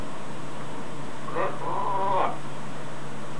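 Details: Pet macaw outside making a drawn-out gaaarrr noise copied from its owners; one short rasp followed by a longer harmonic, slightly wavering growl of about half a second, low hum underneath.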